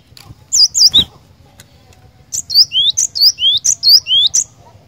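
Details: Singing cinereous tit gives a short trio of high notes, then after a pause a lively series of paired notes: a sharp high chip followed by a lower rising whistle, repeated about six times.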